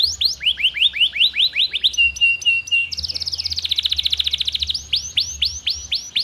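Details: Prolific singing canary used as a lure to prompt canaries that rarely sing: quick rising-falling whistled sweeps repeated several per second, then steady level pulsed notes, a fast buzzy roll, and sweeps again.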